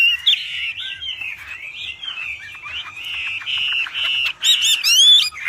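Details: Loud Wambi song kept as a training master for cage birds: a flowing, varied warble of slurred whistles with quick changes in pitch, ending in sharp upswept notes. Faint low thumps sound underneath.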